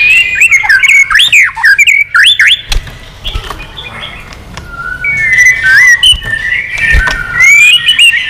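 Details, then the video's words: White-rumped shama in singing contest, wagging tail: loud looping whistles and quick slurred phrases with clicks, a quieter pause, then rising and falling clear whistles of mixed pitch. "chòe lửa già rừng giọng chất. kích chòe lửa sổ nhiều giọng. chòe lửa căng lửa tạch đập đuôi liên tục"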